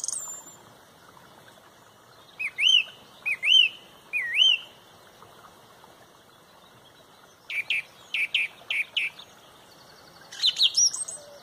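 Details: Sunrise dawn chorus at Pontrobert with a loud song thrush: three matching swooping whistled phrases in a row, then a pause, a run of four repeated short notes, and a closing squeaky rising phrase.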